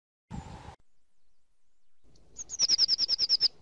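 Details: Eurasian nuthatch giving a rapid series of about ten high, clear, down-slurred piping notes. A brief burst of low noise with a steady tone comes before the series.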